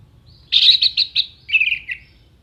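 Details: Orange-headed thrush delivering a brief, sharp burst of contest-tutor song: a rapid loud stuttering series of notes sliding into a lower warbled trill.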